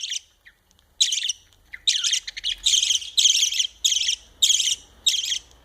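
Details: A budgerigar (Melopsittacus undulatus) chick gives harsh, raspy begging calls in quick repeated bursts while its father feeds it.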